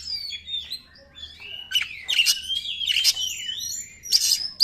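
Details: Oriental magpie-robin lure song meant to rouse other magpie-robins and draw wild ones: soft high notes build into a long wavering whistle broken by loud harsh chattering bursts.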